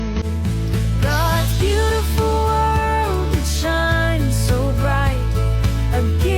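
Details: Loud music with a steady beat and sung melody throughout, with no animal calls.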